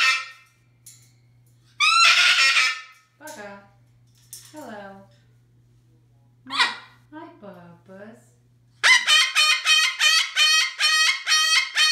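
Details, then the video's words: A pet Moluccan cockatoo gives harsh, ear-splitting screeches, first singly, then a rapid run of about ten loud blasts, as its owner talks and asks it to say hello between calls. "How loud are parrots, can they get crazy loud? My Moluccan Cockatoo showing you how loud"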